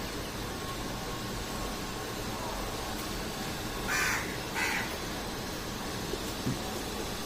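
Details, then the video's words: A crow in a jamun tree gives two short rasping caws a moment apart midway, set against constant broadband noise. "#CROW #SOUND"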